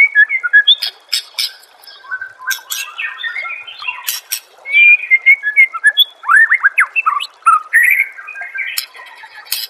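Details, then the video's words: Training master of white-rumped shama song: a loud stream of mixed whistles, quick slurred sweeps and harsh chips, with a run of rapid rising notes in the second half. "Masteran murai AMPUH yang di pakai semua burung juara"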